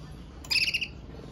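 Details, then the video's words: Powerful song from a red mosaic agate canary: one brief burst of fast, rolling, high pulsed notes, clearly louder than the quiet low-pitched background noise. "CANARIO CANTANDO - Powerful song of Red Mosaic Agate Canary"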